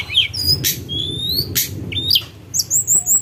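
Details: Mountain tledekan sung as a lure: clear whistled notes, some sweeping up and others sliding down, with short chirps between them, over a steady low rumble.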